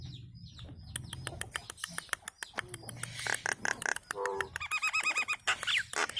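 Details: Nias hill myna singing as training material for cage birds: dense clicks and chips build into nasal harmonic notes and a fast wavering whistled trill, with a low hum in the background.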